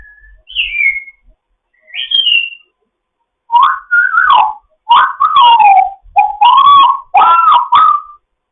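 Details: Fostered African grey parrot chatting in the morning indoors: two high whistled slurs, then a run of loud, warbling mixed whistles and squawky notes over about five seconds.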